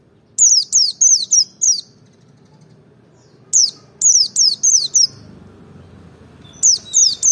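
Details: Ngalas dobel song of a Merapi white-eye, meant as bait to make other birds sing; rapid runs of five or six piercing, high, downward-slurred notes, a pause, then another run.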